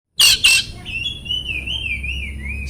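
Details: Oriental magpie-robin (kacer) training song meant to stir silent, stressed or stalled birds: two loud harsh broadband notes, then a long thin wavering whistle sliding gently up and down.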